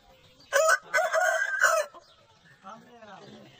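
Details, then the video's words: Aseel rooster crowing: three loud, harsh, hoarse syllables in quick succession, the middle one drawn out, followed by quiet voices talking in the background. "Aseel Roosters Crowing _ Compilation"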